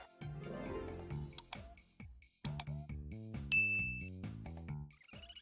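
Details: Chiming bell-like dings and plucked tones play over a melodic musical backing, with no animal voices present.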